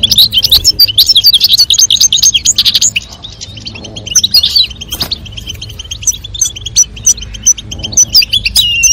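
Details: European goldfinch, female calling and male singing to encourage mating: energetic rapid twittering in the first three seconds, a quieter pause, then lively chirping and trills building again.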